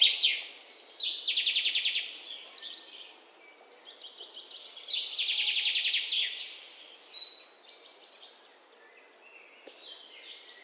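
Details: Chirping birds: busy, high-pitched trilled bursts and quick twittering notes rise and fall in waves, with overlapping voices and a low steady background hiss.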